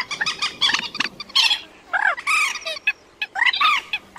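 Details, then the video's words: Rail calls played at night to lure migrating birds into nets in August: harsh squawks with some rising and falling, given in bursts and mixed with short chattering notes. "Tiếng Quốc Mốc , Cuốc Bèo Trích Ré Tơ Bẫy Lưới Đêm Chim Di Cư"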